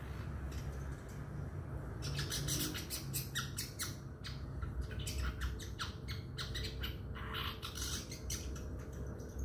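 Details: Young male Madura long-tailed shrike, just past its spotted juvenile stage, practising to build its song: harsh, raspy, broadband squawks in uneven bursts and clusters over about nine seconds, above a steady low indoor hum.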